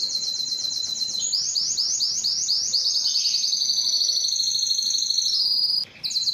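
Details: A canary delivers fast trills, then slower swooping repeated notes, gliding into a long high, thin, steady trill before a short break and resumption.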